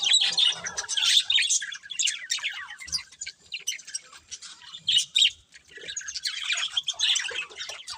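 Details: Chattering budgies giving busy, high chirps and squawky warbles in bursts, loud at first, easing off in the middle, then surging again toward the end.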